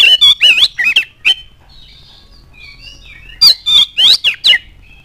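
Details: Oriental magpie-robin song to provoke other birds: quick scratchy, squawking notes, a long pause with faint soft whistles, then a further burst of harsh, buzzy chirps.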